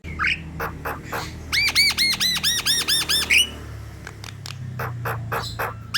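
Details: Javan myna in full, lively song, played as a lure to get lazy mynas singing: scattered sharp clicks, then a run of about eight loud, harsh arched notes repeated quickly, more clicks after, with a low steady hum beneath.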